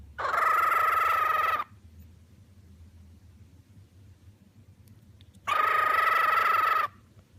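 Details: Pet cockatiel giving happy sounds: two loud, raspy, even-pitched screeches, each about one second long, spaced roughly four seconds apart, with quiet low room hum between them.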